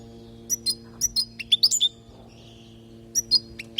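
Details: Tutoring song of a European goldfinch from Palestine, meant to teach fledglings to sing: crisp high chips and tinkling swooped notes in a rapid cluster, a brief pause, then a few more sharp twitters, with a steady low hum.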